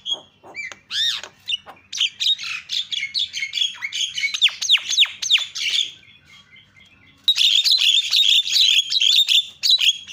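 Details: Javan myna calls meant to provoke other mynas into calling: opening whistled slurs, then a chattering string of harsh, scratchy notes, a brief lull, and a loud dense burst of buzzy chatter at the end.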